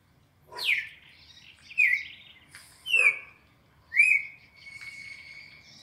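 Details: Softer red-crested cardinal 4-note training song: a sharp descending whistle followed by three shorter slurred notes, ending in a sustained thin tone, with faint background noise.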